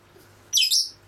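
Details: A pet Masked lovebird indoors gives one shrill, raspy screech in two quick joined parts lasting under half a second, over a faint indoor hum.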